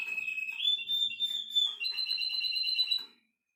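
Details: Russian canary song from a nine-year-old male teaching its grandchildren: a smooth rolling tour that steps up in pitch, then a fast, evenly pulsed trill that ends abruptly into silence.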